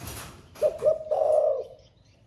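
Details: After a rustling burst, a spotted dove with a 'thổ pha' voice utters two quick soft hoots and a sustained low coo that fades out gently.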